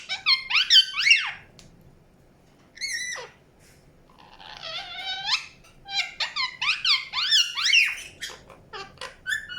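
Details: Indian ringneck parakeet chirping: arched screechy calls, a lone wavering squawk after a pause, then a dense chatter of rising whistles and clipped notes.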